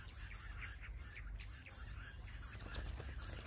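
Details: Jungle bush quail call played to lure and catch quail in small hilly forest: quick, thin chirped notes, several a second, rising into sharper higher whistles near the end, over low wind rumble and handling noise.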